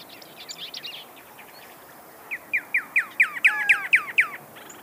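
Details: Pyrrhuloxia song: soft chattering notes lead into a steady series of about eight loud, clear downslurred whistles, evenly spaced and slightly accelerating.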